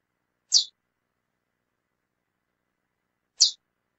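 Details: A female lesser seed finch gives single clipped, high-pitched chips, two notes nearly three seconds apart, each dropping slightly in pitch; otherwise silent.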